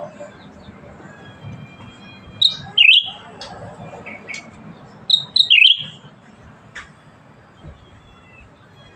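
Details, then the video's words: Black-headed Bulbul in active song, giving two brief whistled phrases that dip and twist, spaced a few seconds apart, over a quiet low rumble. "Burung Cucak Ranting Gacor"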